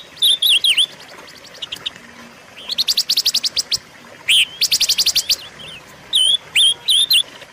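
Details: Silver-eared mesia (pancawarna), recorded for training and luring caged birds. High whistled notes with wavering turns come in short phrases, broken by fast runs of sharp, clicking chips. A final set of bright whistled phrases follows.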